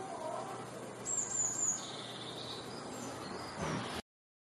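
Blue tit giving a high, thin, slightly trilled call, then a softer descending note, over steady low background noise.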